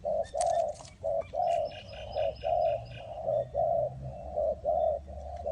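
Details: Spotted dove cooing during trapping in Ninh Thuận. Steady, mellow coos come in a regular series, a short note then a longer one, about once a second. Faint chirps from other birds and a low hum sit beneath.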